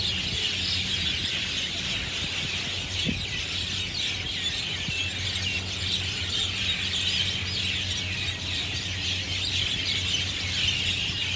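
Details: Mynas, Javan or Jungle, in a treetop flock at Marina Barrage, Singapore, Sunday afternoon, chirping as if arguing; continuous high chatter, a couple of faint knocks, steady low background hum.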